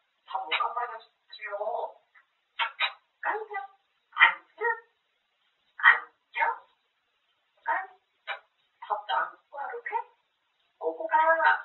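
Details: Grey parrot kept as a pet, talking without pause about eating, with rapid clipped speech-like syllables in quick bursts, many short words strung together over several seconds in a quiet room.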